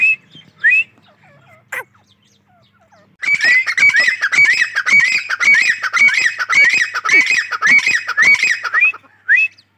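Grey francolin giving a loud, ringing series of shrill, rising notes, almost two a second, after a few brief opening calls.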